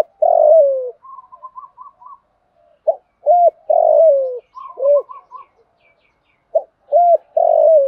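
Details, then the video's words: Spotted dove's aggressive challenge cooing, meant to spur decoy birds into calling fast. Deep, rounded coos, some long and falling, some short and hooked, come in irregular bursts. Soft bubbling quiet notes sound between phrases. "chim cu gáy thúc đấu và gù đấu kích bổi rất lẹ gáy. tiếng chim cu gáy dùng luyện mồi gáy theo"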